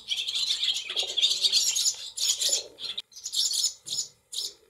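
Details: Brood of barn swallow chicks in a nest in a cattle shed with several nests, 28 July 2024: dense, high-pitched twittering chorus in long bursts, broken by short gaps and a few separate chirp clusters.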